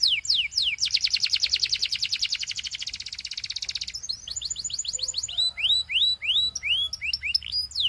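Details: Belgian canary singing to encourage other canaries to sing, opening with quick downslurred notes, then a long rolling trill for three seconds, followed by varied chirps and repeated clear descending whistles.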